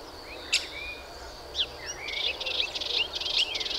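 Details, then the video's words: Melodious warbler: scattered soft notes at first, then from about two seconds an accelerating, crowded high chatter of quick chirps and slurs that runs to the end. "Hypolaïs polyglotte"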